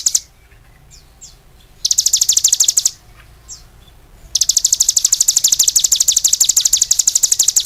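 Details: Cigun singing vigorously: a few scattered high notes, then a short chirping burst and a long, rapid, high-pitched trill that runs on.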